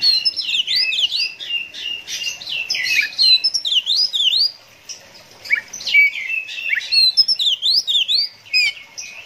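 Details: Caged Oriental magpie-robin of the konslet type, kept by songbird hobbyists, in an energetic rambling song of quick slurred whistles, sharp chips and twittering phrases, with two short breaks between bursts.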